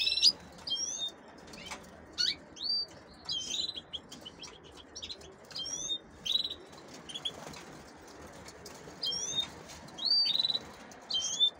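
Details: Captive female canaries kept for hybridising with goldfinches give short, bright slurred chirps, some rising and some falling, spaced about a second apart with quiet gaps between them, over a faint low background hiss.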